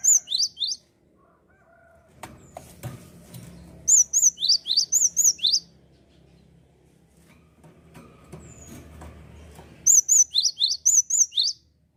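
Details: Song of a Java sparrow to stimulate other birds: three separate bursts of high, quick chirps, each mixing arched whistles with sharp rising notes, split by stretches of low rumbling and clatter.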